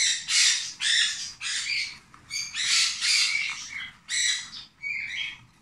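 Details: Hand-fed Rosy-faced lovebird chick aged 26 days gives rasping, broadband begging squawks in bursts of roughly half a second, closely spaced with short gaps.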